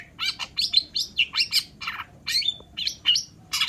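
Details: Long-tailed shrike in busy, continuous song: a rapid sequence of rasping, metallic chirps and twangy squeaks, each note short and closely spaced, with almost no pause between phrases.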